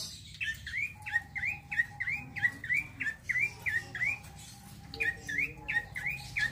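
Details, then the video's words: Male bar-winged prinia in rolling, vigorous song: a steady series of sharp upslurred chirps, about two per second, with brief gaps, over a faint steady hum. "PRENJAK COKI JANTAN NGEROLL GACORR"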